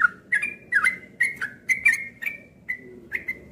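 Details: A captive Yellow-vented bulbul, put outside in the morning on 31 July 2021, gives a lively run of about eight short, bubbly whistled notes, roughly two a second, over a faint low background hum.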